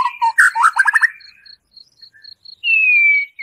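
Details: White-rumped shama singing rough shot-style phrases to stir a captive bird's emotion: low whistles leading into a quick stuttering trill, a lull with regular high ticks, then one long clear whistle sliding downward.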